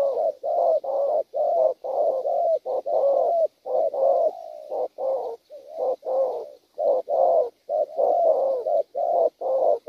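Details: Wild-caught spotted dove cooing: low, mellow coo notes in a steady run of about one a second, some phrases slurred together, with a faint high hiss in the background.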